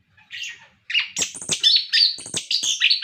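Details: Captive orange-headed thrush in full song, a prompting recording for other birds: a soft opening whistle, then a dense fast run of bright trills, sharp chips and sliding whistled notes.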